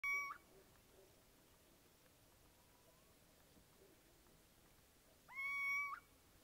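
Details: Little owl calling: two short, mewing, cat-like notes about five seconds apart, each opening with a quick upward slide into a steady level tone, with quiet background hiss between.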